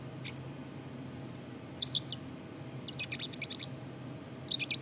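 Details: Black-capped chickadee giving soft subsong: a few thin whistled high notes, then short clusters of quick chips and twitters separated by gaps, steady low hum underneath.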